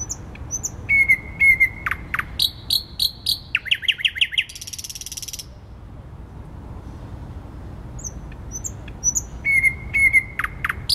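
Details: Thrush nightingale in the centre of Warsaw, Poland, singing on 12 May 2020: flat piping whistles, sharp notes, a run of falling repeated notes and a buzzy rattle, then a silent gap before the piping phrase returns.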